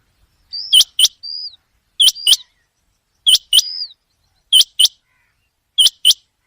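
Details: A common quail calls at night, giving clear, piercing paired notes. The pairs come roughly every 1.2 seconds, with occasional faint, thin whistles after them.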